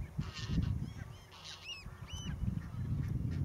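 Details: Young northern lapwing at Zandvoortweg giving a few short, clear, arched calls, each rising then falling, spaced apart. Heavy low wind rumble runs underneath throughout.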